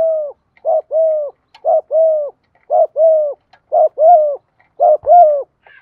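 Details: Decoy spotted dove, freshly caught and being trained, gives a steady run of soft two-part coos: a clipped note followed by a drawn-out even coo, the pairs evenly spaced, loud and clear.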